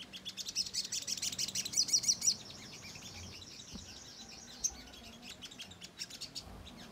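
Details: ['Lure song of a Ruby-cheeked sunbird, meant to anger and draw a reply from other sunbirds. A quick, high, ticking twitter accelerates for about two seconds, then thins to occasional sharp chips.']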